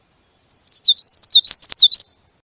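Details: A Common Yellowthroat in spring, a species that nests in Chippewa Valley wetlands, sings a quick run of repeated high, rolling witchety-witchety-witch phrases lasting about a second and a half, with no other sounds.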